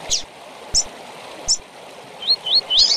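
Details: Tui tui song of a double-collared seedeater, meant for teaching young birds: three spaced high sharp chirps, then two rising whistled notes and a buzzy burst, with a constant stream-like hiss behind.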